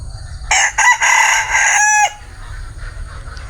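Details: Bantam rooster crowing once: a loud, raspy call of about one and a half seconds in three quick segments, finishing with a downward-sliding note, then quiet background rumble.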